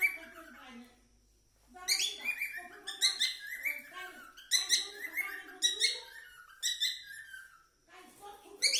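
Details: Cockatiel singing: bursts of bright, harsh, warbling chirps rich in high overtones come in rapid clusters after a quiet first second and pause briefly between phrases.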